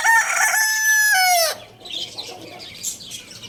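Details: Lohmann Brown rooster at the Lalukhet bird market crowing loudly: one rich, harmonic crow about one and a half seconds long, rising at the start, held steady, then dipping into a drawn-out fall, followed by faint background chatter.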